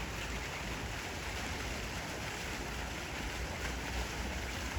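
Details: Steady broadband rush of wind and water, like waves or wind buffeting the microphone outdoors, with no animal calls heard.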